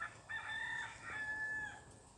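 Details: Crowing Sebright rooster heard at moderate distance, a drawn-out tonal crow of about one and a half seconds with a brief break, set against a steady background hiss.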